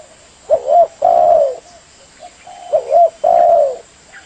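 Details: Spotted dove calling for a trapping lure, repeating a two-part coo phrase twice: a quick doubled note followed by a longer, drawn-out, slightly falling coo, with a faint background hiss.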